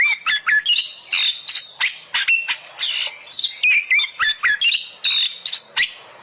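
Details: Oriental magpie-robin song used as a lure to make kept birds sing loudly: a rapid medley of clicks, sharp chips and short whistled slurs around high pitch, varied and continuous.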